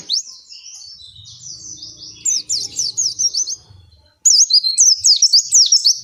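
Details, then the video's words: Oriental white-eye in captivity giving a long, continuous training song: soft high twitters at first, then loud, rapid, sharply rising and falling chirps strung closely together. "Suara Pleci Gacor Ngalas Panjang"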